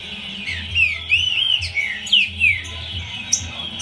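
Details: Green-winged saltator singing: a loud series of clear, slurred whistled notes, each arching up then down, given in quick phrases over a steady high hiss and a low background hum.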